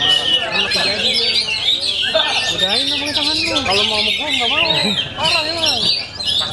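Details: Oriental magpie-robin in full competition song: varied whistled phrases over lower arching, rising-falling notes, with quick twitters and a short dip in volume near the end.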